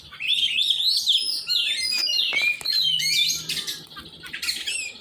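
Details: Oriental magpie-robin singing during training: a dense, lively medley of warbled whistles, chirps and buzzy high trills, with a faint low hum in the middle.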